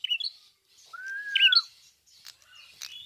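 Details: A singing red-fronted prinia (prenjak kepala merah): one long, slightly arched whistle, overlaid by sharp high chirps, then a few softer scattered twitters.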